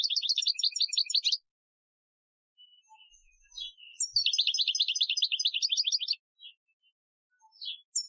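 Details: Algerian-style goldfinch training song from 2015: a fast, chattering warble of high tinkling notes, a brief quiet gap with faint soft tones, then a longer rippling twittered phrase and a few sharp chirps.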